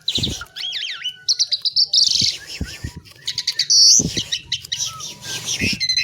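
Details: Asian pied myna (jalak suren) in full song: looping whistled glides, rasping buzzes and fast chattering notes follow one another without pause, with faint thumps beneath.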